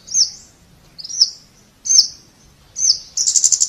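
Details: Scarlet-backed flowerpecker uttering four thin, high-pitched tsit notes at roughly one-second intervals, ending in a rapid buzzy rattle.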